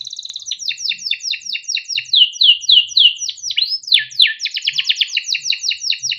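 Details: Captive young canary with its long chirping, rolling song used for training juvenile canaries; rapid chattering downslurs, a few long rising sweeps, then a fast dense trill, continuous and loud.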